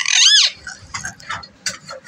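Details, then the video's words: A talking pet parrot gives one loud, harsh arching screech, then a run of softer, chattering talk-like syllables. "बोलने वाला 🐦देशी मिठू मियां की विडियो"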